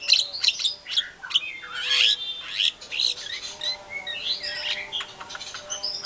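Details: White-rumped shama singing energetically, used as a lure to make other shamas answer: varied stream of sharp whistles, slurred rising and falling notes and scratchy phrases, over a faint steady background hum.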